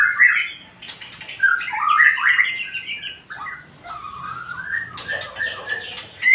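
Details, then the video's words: White-rumped shama with a 20 cm tail, singing a loud, varied run of clear whistled phrases. Rising and falling notes and short slurred figures are mixed with harsher squawky notes, in a continuous flow with brief pauses. "burung murai ekor 20cm suara mantap ngeplong"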